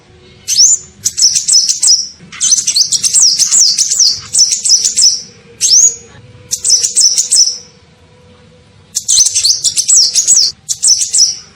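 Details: Sunbird known locally as kolibri ninja, giving a call used to lure other birds: sharp upslurred whistles and fast, high, jingling twitters in repeated bursts, with a longer silence before the last runs.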